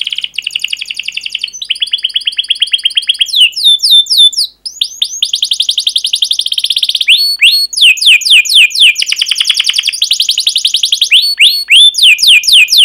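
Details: Long emotional canary song meant to train young birds and prompt others to answer: sustained rapid trills changing type every second or two, sharp high chips, buzzy rolls and fast repeated notes, loud and continuous throughout.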